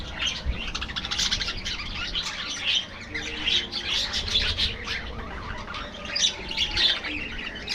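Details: Budgerigars in an aviary colony, a dense flock chattering: overlapping high warbles, chirps and short squawks run almost without pause, swelling and fading in loudness, with a faint low hum beneath.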